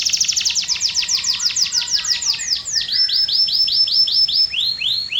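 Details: Canary song with a fast train of sharp descending whistles, followed by a slower series of arched, rising whistled notes.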